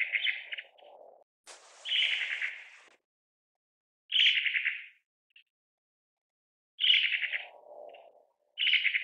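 Long-tailed tit giving four or five short, buzzy, rolling trills, each under a second, spaced a few seconds apart, with softer low murmurs between them.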